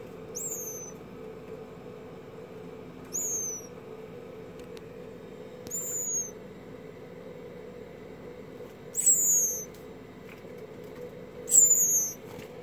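An American woodcock chick gives thin, very high, downslurred peeps, five in about twelve seconds, over a steady low hum.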